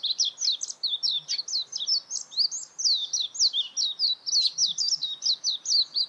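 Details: Continuous high-pitched warbling from a warbling white-eye, a busy stream of short, twisting squeaky notes rising and falling rapidly, with only a faint hiss behind.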